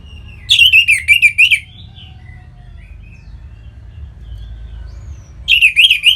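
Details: Orange-headed thrush song used to trigger other birds' singing: a fast, trill-like phrase of repeated wavering notes, a pause with soft whistles, then the same rapid phrase again.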